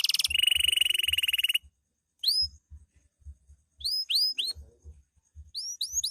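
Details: Night-singing canary, loper type: a bright rapid trill breaks off, followed by widely spaced sharp upslurred whistles in small clusters with short silences between, soft tapping sounds in the background.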